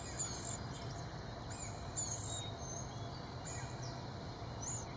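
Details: Nestling blue-gray gnatcatchers begging as adults bring insects: two clear high, wheezy hissing bursts near the start and middle, followed by two fainter ones, with quiet low background noise between.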